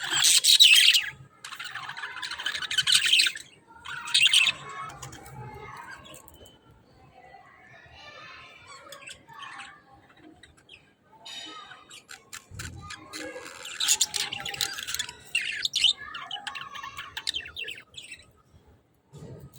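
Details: A group of budgerigars kept by a breeder chatters with rapid, scratchy warbles and high chirps.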